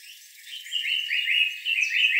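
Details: A male African paradise flycatcher sings its mellow warble, a quick run of clear, slurred whistled notes, several per second, holding a steady bright pitch.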